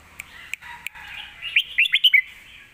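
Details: Red-whiskered bulbul in a cage giving a brief Lak Wai master-song phrase for young birds to learn: a few soft clicks, then a quick rising series of five liquid whistled notes.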